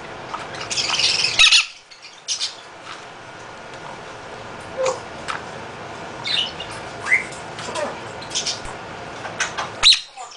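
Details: A caged half-moon conure at a bird rescue, a loud male, lets out one long grating broadband screech, then falls to scattered faint chirps and clicks over steady room noise.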